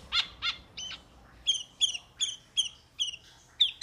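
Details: Metallic starling (Aplonis metallica), calls.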